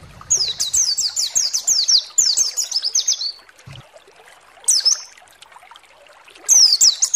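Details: A white-eye song used as a master lure to provoke other white-eyes into singing: very high, sweet, rapid twittering phrases in bursts, a long run of quick notes, then shorter outbursts after brief pauses.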